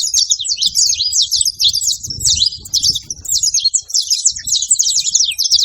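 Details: Saffron finches calling in chorus, a constant chatter of piercing short chirps and quick downward slurs, with some faint low background noise.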